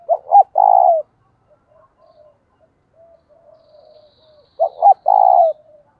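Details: Decoy spotted dove calling to lure wild doves: two deep, hollow coo phrases, each two quick stuttered notes then a long, slightly falling coo, separated by about four seconds of near silence.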